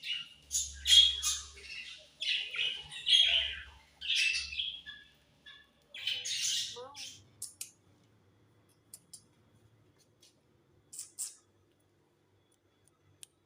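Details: Pet budgerigars in the morning giving scratchy squawks and chattering chirps in short bursts during the first half, then sparse faint clicks and ticks in near quiet, heard indoors.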